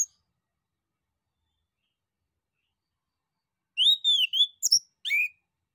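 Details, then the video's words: Male orange-headed thrush singing energetically as a lure so other birds reply: after a long pause, a short run of clear whistled notes, some sliding, followed by sharper chirps, with no other sounds. "SUITAN ANIS KEMBANG JANTAN DAN PANCINGAN ANIS KEMBANG GACOR"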